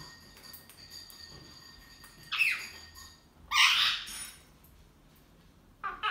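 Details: Two pet ringneck parrots quarrelling: two loud, grating screeches about a second apart, followed by a shorter squawk, over a faint steady whine and low room noise.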